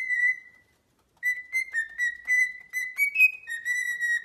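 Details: Parrot singing with whistled tones: a short held note, a pause, then a wavering melodic phrase of linked notes that lifts briefly near the end.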